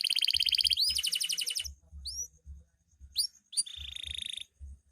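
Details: Canary, loper style, singing vigorously at night: a rapid pulsing trill of rising notes, a few separate upward whistles, then a steady tone overlaid with a fine buzz.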